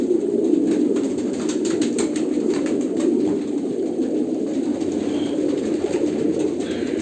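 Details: Kolkata pigeons cooing together, a thick murmur of deep, burbling notes that never stops, plus brief soft clicking sounds through the first half.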